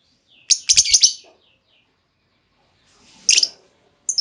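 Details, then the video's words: Female lovebird call used to provoke other lovebirds into long trilling; a loud harsh burst of shrill chirps with low knocking thumps, a long silence, then another short squeaky burst and a final note. "Pancingan Burung Lovebird Betina! Bakal Langsung Respon Lovebird Segala Kondisi Auto Ngekek Panjang"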